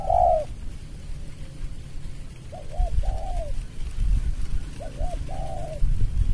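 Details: Spotted dove, a lure bird, calling in a competition against a rival bird in the rapat ngeruk style: low, rounded two-part coos repeated about every two and a half seconds over a steady low rumble of background noise.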